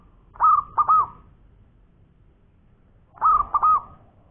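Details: Zebra dove of local stock in full song, koar-koar ngowor style: two clear cooing phrases about three seconds apart, each a quick burst of rounded, rolling pulsed notes over a low quiet background.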